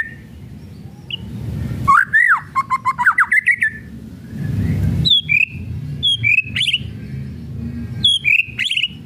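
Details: White-rumped shama (murai batu) kretekan song for luring: a quick rattle of clicking notes and rising whistles, then spaced sharp high downslurred whistles after a pause, with background hum between phrases.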